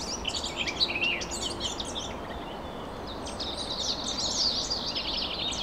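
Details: Several birds squabbling, as if arguing politely: high, scratchy chirps and short notes cluster in bursts, with a quieter gap in the middle, over steady low background noise.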